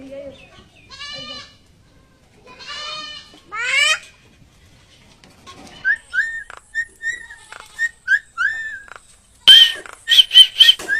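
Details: Common myna (Acridotheres tristis) in a varied run: nasal, bleating croaks, then a string of short sliding whistles, ending in harsh, grating bursts.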